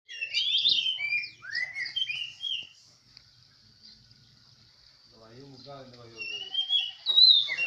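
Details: Oriental magpie-robin at a songbird contest in Semende Perapau: bright whistled phrases and sweeping notes for about three seconds, a quiet pause, a man's voice, then more high whistles.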